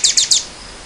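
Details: Common nightingale song fragment recorded in spring 2014: three quick, high, bright notes in under half a second, then quiet.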